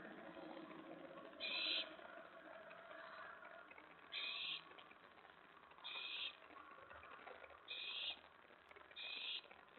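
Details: Owl at the nest during mouse and rat deliveries, around 1:15–1:20 AM on 24 May 2017. Five harsh, noisy hissing bursts, each about half a second, come at irregular intervals over a steady low background hum.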